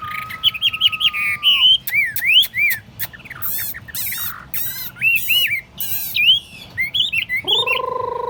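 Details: Caged, tame Chinese hwamei singing on a table. A long low whistle opens the varied song, followed by looping and rising whistled phrases and sharp clicks. The song closes with a low, rich, buzzy tone.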